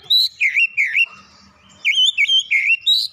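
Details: Oriental magpie-robin giving bright, bending whistles in quick phrases of four or five notes, with a short soft gap between the two bursts.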